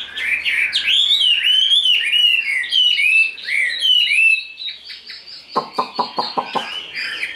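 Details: Large-bodied Chinese hwamei pouring out loud, rich whistled phrases that swoop up and down for about four seconds, followed by a run of sharp knocking taps and softer notes.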